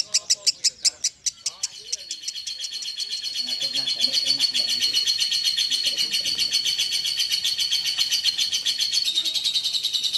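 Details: Caged contest lovebird from Central Java, Indonesia, opening with a few separate sharp chirps, then running into a long, dense, continuous high trill that holds steady to the end.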